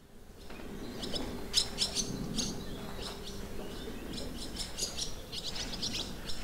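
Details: Barn swallows at a countryside campsite in the Limousin, France, on 25 June 2023, giving clusters of short, high twittering chirps in bursts, over a steady low hum and background rumble.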